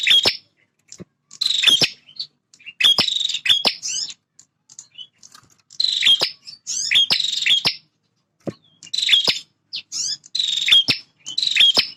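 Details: Persistent song of a male bar-winged prinia, a fighting bird that guards its feeding and nesting ground: rapid series of buzzy, rasping bursts with sharp ticks, about one each second.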